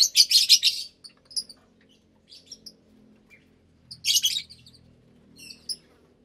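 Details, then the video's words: About 25 lovebirds in a breeding aviary, mixed parblue, euwing, opaline, lutino and albino colours, gathered at meal time; a loud rapid burst of harsh shrieking chirps opens, then scattered squeaks and another dense shrill burst. "Lovebird Meal Time"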